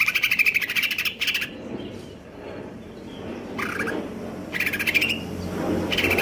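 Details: Greater green leafbird, caged and in stable condition, in konslet kejer nembak song: short bursts of fast buzzy pulsed chatter separated by pauses, with a steady low background hum.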